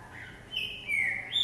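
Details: Caged green-winged saltator hopping in a jumping cage gives a brief, clear whistled phrase: a low note, then a higher drawn-out whistle falling slightly, then a rising final note.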